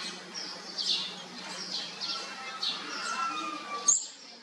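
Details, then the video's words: Olive-backed sunbird young being fed, fourth brood, with soft high chirps in short bursts, a faint thin whistle, and one sharp click near the end over a low hum. "ลูกนกกินปลีอกเหลือง รุ่น๔"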